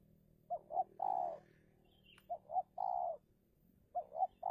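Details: Indonesian spotted dove used as a decoy against a wild rival in a territorial fight. Three repeated phrases roughly every one and a half seconds: two short hoots, then a long even coo, over soft background hum.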